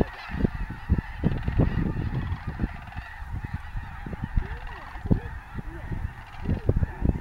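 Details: Snow geese massed at Bosque del Apache National Wildlife Refuge during winter: rapid staccato honks pour out in dense clusters, with a few arching nasal calls standing out midway.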